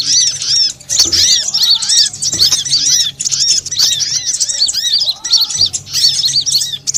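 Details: Sunbird lure call, known locally as konin, kowul, korlap or sogon, used to attract birds: dense, continuous high thin chirps and twitters, many overlapping short notes with a few brief pauses and a faint low hum underneath.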